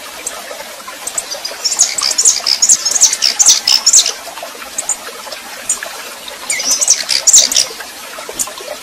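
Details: Warming-up red-pileated finch female imitating male song: a run of fast, very high chirping notes for about two seconds, a pause, then a shorter second burst, over a background of trickling, hissing noise.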